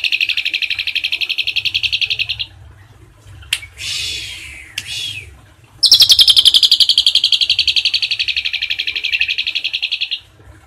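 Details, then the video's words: Asian pied starling, a song recording intended for training other birds, delivering fast, high, rattling trills, about four pulses a second, in two long bursts split by a few harsh, scratchy notes. "JALAK SUREN TEMBAKAN ISIAN CILILIN"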